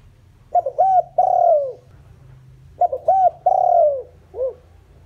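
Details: Spotted dove as a decoy, calling to lure wild doves: two full phrases about two and a half seconds apart, each two short looped coos then a long falling coo, with one extra short coo at the end.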